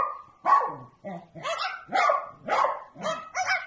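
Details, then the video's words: Bird imitating a dog's bark: a steady run of about seven raspy, yapping barks at irregular intervals, each one harsh and broadband. "Passarinho Latindo"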